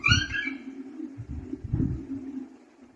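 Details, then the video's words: Baby parrot, a young pet bird just beginning to learn to talk, gives a harmonic squawk falling in pitch at the start, then low muttered, voice-like sounds in bursts around one and two seconds, indoors. "शुरुआत में तोत्ते के बच्चे इस तरह बोलना सीखते है/Baby Parrot talking Continuously/Talking Parrot"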